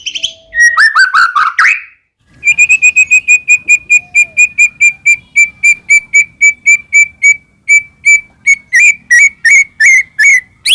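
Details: Lure song of a white-rumped shama (murai batu) to make another bird sing back: a warbled opening, then a long rapid train of identical sharp clicking whistles, speeding into louder swept notes at the end.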